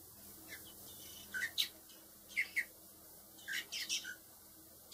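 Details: Four hand-raised baby blackbirds, reared to be released later, giving short harsh high chirps in small clusters of two or three, spaced about a second apart, against a quiet indoor background.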